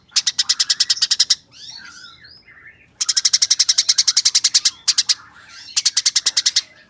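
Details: Eurasian tree sparrow rattling quick 'nyerecet' chirps for tutoring competition birds: rapid, high chirp runs interrupted by a stretch of soft, swirling twitters and squeaks before the rattle resumes.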